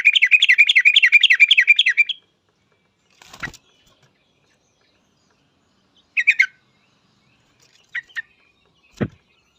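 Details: Yellow-vented bulbul, an actively singing bird used as a lure to make other bulbuls sing quickly: a fast, even chattering trill for about two seconds, then a few short scattered notes and clicks in silence.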